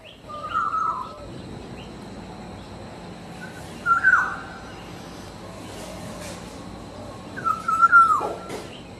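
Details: Black-naped oriole (kepodang) singing melodiously in the wild: three loud, fluty whistled phrases spaced about three to four seconds apart, each short and slightly slurred, over a steady low background hiss with faint sounds from other birds.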